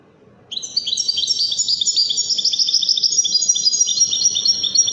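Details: European goldfinch, wedani type, from Morocco: after a moment of quiet, a steady stream of high, bright twittering and trilled chirps, about three notes a second, continues to the end.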